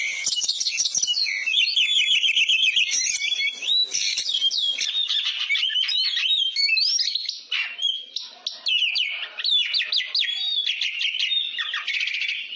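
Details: Oriental magpie-robin in full, constant song, kept as a tutor for training other birds: a dense, unbroken stream of bright whistles, rapid trills and chattering notes mixed with sharp up-and-down slurs, high-pitched throughout.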